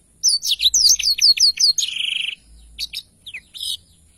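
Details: Rapid run of about a dozen high sweeping chirps leading into a flat buzzy roll, then scattered short notes, from a Blackthroat in full long-rolling song.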